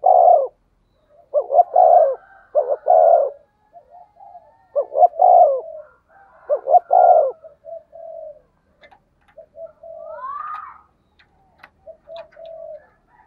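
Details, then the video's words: Spotted dove giving its 'thổ sấm' call, used to stimulate other doves as a lure. Several loud phrases, each two short notes and a long falling hoot, then softer coos, a brief rising whistled note, and faint clicks. "Chim cu gáy giọng thổ sấm chuẩn // tiếng chim cu gáy kích bổi mới rất hiệu quả"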